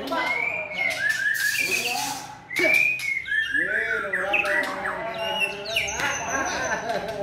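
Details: Two Medan white-rumped shamas dueling, trading rich, varied songs of loud whistles, slurred phrases and harsh chattering notes, overlapping each other without pause.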